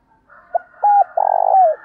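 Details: Decoy spotted dove calling to lure a wild bird: a brief clipped note, a level sustained coo, then a long, trilling, rolled coo that slides down at its tail, with faint softer cooing behind.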